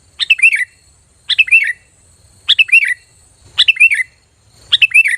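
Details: Sooty-headed bulbul lure call, loud, sharp and clear, used to draw other bulbuls to answer; short bright phrases of three or four quick notes dipping and rising, repeated about once a second with clean silence between.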